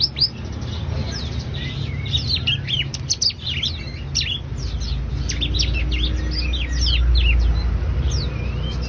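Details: Ciblek (bar-winged prinia) singing actively: rapid bursts of high, sharp chirps and quick down-slurred twittering notes, about four per second and irregularly spaced, over a steady low rumble of background noise.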